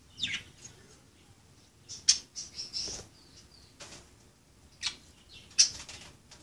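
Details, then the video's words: Budgerigars playing: bursts of high chirps and chattering squawks, several sharp piercing notes and a brief busy twitter, spaced irregularly across the recording. "Pericos australianos jugando"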